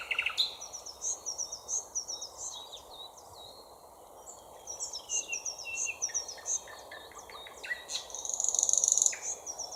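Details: Thrush nightingale singing a loud, varied song of repeated whistles and clicks, phrases repeated several times: quick tapping notes, rising whistles and a dense rattling trill near the end, with no other clear sounds.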